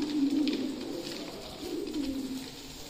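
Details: Fancy pigeons cooing at feeding time, deep throaty coos in two drawn-out phrases over a steady background hum with light tapping.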